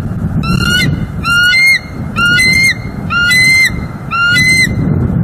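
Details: Bald eagles at a nest in Northeast Florida on December 18, 2023, recorded by a live nest cam as the pair stays near the nest: five rising, squealing, harmonic-rich calls at roughly one per second over a low rumbling background.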